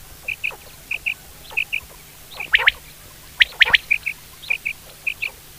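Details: Quail calling: short high clipped notes, mostly in quick pairs, repeated about once a second, mixed with louder harsh squawking calls in the middle; steady low hum underneath.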